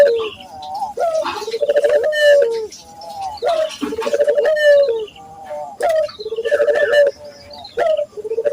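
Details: Barbary doves, local birds, coo as a training lure for other doves: a series of rolling, trembling coos, each opened by a short upslurred note, repeating every couple of seconds.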